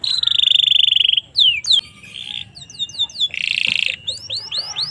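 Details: Domestic canary song used as a tutor recording for young canaries: a long buzzy trill, then rapid downslurred whistles, a harsh rolled burst and quick upswept notes, all high-pitched.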